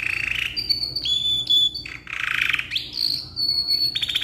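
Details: Canary in a cage, ngeroll black-red type, singing long continuous song for tutoring: buzzy rolled bursts alternate with clear high whistles and a rising slur, notes closely packed without pause.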